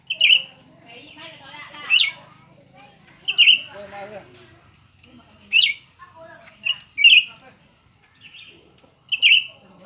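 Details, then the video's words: ['Two cucak ranting birds, one new and one old, competing in song: short slurred whistled phrases recur every one to two seconds, with softer chattering notes and low murmuring between them.'] "pertarungan antara dua burung cucak ranting baru dan lama"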